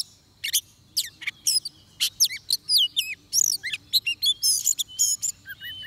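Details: Song of an Oriental magpie-robin recorded while trapping in Vietnam: short sharp chips give way to looping, sweet whistles and warbles, rising and falling, delivered in uneven spurts with a low steady hum beneath.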